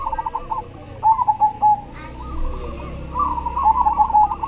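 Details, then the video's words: Singing cemani zebra dove: a fast, stuttering series of soft coos followed by a drawn, wavering coo phrase, with further overlapping dove song running through the background and a low hum underneath. "SUARA PERKUTUT CEMANI GACOR"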